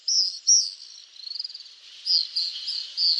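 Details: Common swifts uttering short, piercing, high screeches in bursts, with a softer rattling trill between the louder notes.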